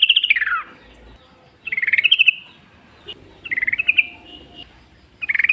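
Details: Wild yellow-vented bulbul singing in the forest as a lure to make other bulbuls sing. Four short, quick-trilled phrases, some rising, some falling, with faint background noise between them.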